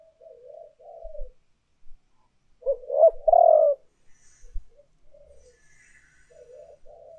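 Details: Spotted dove coos from a lure recording of urging and calling coos. Soft, low murmured coos surround one louder phrase of quick rising notes and a strong, long, falling coo.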